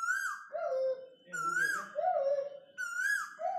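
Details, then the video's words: A cuckoo in a home backyard gives a clear two-note call, a high note dropping to a lower one, repeated three times about every one and a half seconds. "Cuckoo bird"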